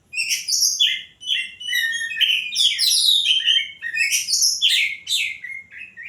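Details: Common tailorbird in energetic night-time song, rapid chattering phrases of bright, high chirps and short downslurred whistles packed closely together in a busy, lively run.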